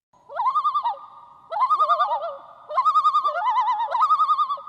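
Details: Common loon (Gavia immer) tremolo: quavering, laughing rapid wavering notes in bursts of about a second, repeated four times, each rising into a warbling peal.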